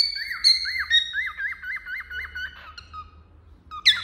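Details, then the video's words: Cockatiel perched on a finger, warbling a quick chain of short wavy whistled notes at an even pitch, then softer slurred whistles and a sudden bright note at the end. "Calopsita Cantando no Dedo"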